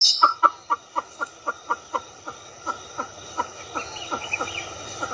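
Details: Pheasant from Southeast Asia: a steady series of short, clipped notes repeated about three times per second, gradually fading, with a faint higher twitter near the end.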